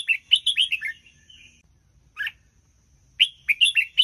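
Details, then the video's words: Red-whiskered bulbul's doubled song style, used to tutor young birds: a rapid string of five liquid, falling chirps, a pause, one isolated note, then the fast chirping phrase again, crisp and loud in a quiet background. "นกกรงหัวจุกร้องเบิ้ลสำนวนเทพ ๆ"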